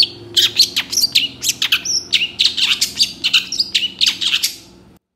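A Long-tailed Shrike pours out a fast, varied jumble of high chattering notes, sharp chips and brief whistles, delivered in quick bursts without pause.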